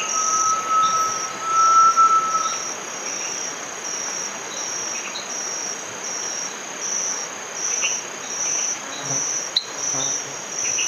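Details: Great tinamou with a single long, clear whistle that swells and then fades over about two and a half seconds. Pulsing high insect trills continue throughout.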